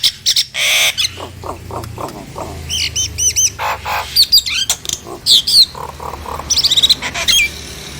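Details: Nias hill myna song used to provoke silent or lazy mynas into singing: loud varied mix of harsh squawks, clear looping whistles and short rising notes in quick succession, over a faint low hum.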